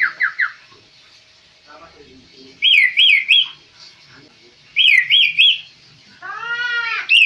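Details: A tame kaso-kaso bird in full song gives bursts of three quick, clear, looping whistles, high-pitched and repeated twice, mixed with a few harsher chattering notes.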